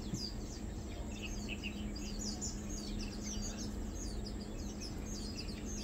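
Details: Lowland white-eyes (Zosterops meyeni), mainly feeding, on 2 August 2022, keep up a busy stream of thin, high chirps and twitters, several birds overlapping, over a low rumble and steady background hum.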